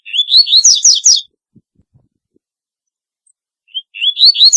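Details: Double-collared seedeater repeating its distinctive song, a bright sequence of rising whistled slurs and buzzy chirps. A few faint clicks fall in the pause, and a second phrase starts near the end.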